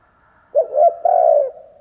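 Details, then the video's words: Spotted dove used as a decoy, cooing to lure wild doves; one phrase of two short low coos leading into a longer, steady drawn-out coo. "Chim cu gáy kích bổi , Cu gáy kích bổi mở là gáy"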